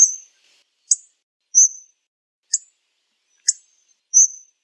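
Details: Hawfinch giving sharp, very high, clipped notes, spaced about every half to one second, some slurred and some clicking, against an otherwise silent background.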